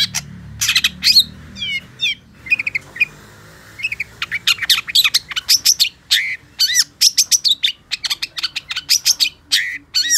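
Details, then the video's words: Long-tailed shrike (pentet) in prolonged gacor song: some harsh notes and a trill of quick upslurs, then a long, accelerating stream of sharp chattering notes and clear slurred whistles, with faint low ticking behind. "Suara Cendet Pentet Gacor DOR"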